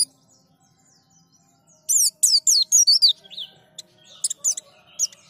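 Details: White-eye being prompted to sing: after quiet start, a quick burst of loud high downslurred chirps, followed by softer scattered high notes and faint background hum.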